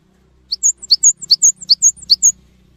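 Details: Cinereous tit, used to prompt other tits into song, gives a crisp series of high notes pairing short rising pips with longer flat whistles, four paired figures in under two seconds, low hum in the background.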